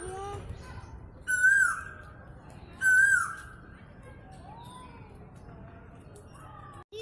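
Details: Asian koel calling, two loud clear whistled notes about one and a half seconds apart, each rising then sliding down, with a softer fainter call afterwards and low background murmur.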